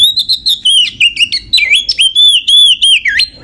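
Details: Female Oriental magpie-robin (kacer) lure song meant to raise other magpie-robins' excitement and make males sing: continuous bright whistled phrases, wavering and slurred notes in quick succession with abrupt downward swoops, loud and clean throughout.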